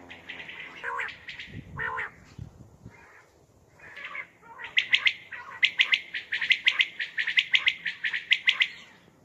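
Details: Common quail at night, a recording used for hunting: harsher lower calls at first, then after a pause a dense run of quick triple chirps, repeated and overlapping, getting louder toward the end.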